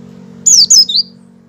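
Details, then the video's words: Pre-song opening call of a white-eye: a rapid run of three high whistles, two falling slurs then a lower, softer trailing note, over a low steady electrical hum. "suara awalan pleci ngecal sebelum ngalas"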